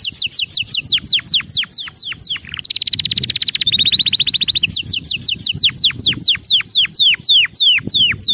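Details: Canary song used to train young canaries to sing correctly: fast repeated downslurred whistles, a rapid buzzy rolling trill in the middle, then a run of sweeping descending notes, with a faint low hum behind.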